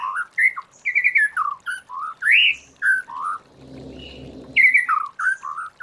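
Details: White-rumped shama singing wild-voice song for training: clear mellow whistled notes at varied pitches, rising and falling in short phrases, with a brief low rustle midway.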